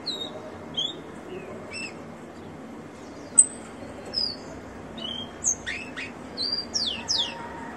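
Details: Rufous-collared sparrow, a ringed captive bird, singing: several clear whistled notes falling in pitch, then a burst of quick downward sweeps and chips near the end, over low background hiss.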